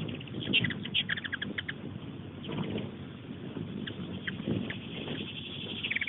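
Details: Hummingbirds mobbing a very busy feeder just outside a kitchen window: quick trains of high, dry chips repeat in short bursts over a steady low rumble of indoor conversation noise.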